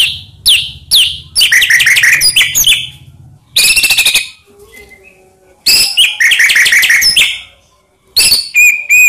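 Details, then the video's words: White-rumped shama song played as a lure to provoke other shamas. Short buzzy bursts and rapid twittering runs alternate with quieter pauses and ends on a clear, steady whistle, with a faint low hum early on. "Murai Diam Langsung PANAS Dengar Pancingan Ini"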